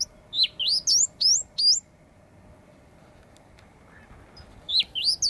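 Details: Endangered Eastern Bristlebird displaying in late August 2017 in Booderee National Park, Jervis Bay, near the Cape St George ruins, gives a burst of five loud, high, sweeping whistles in quick succession, falls quiet, then starts another phrase over a faint low hum.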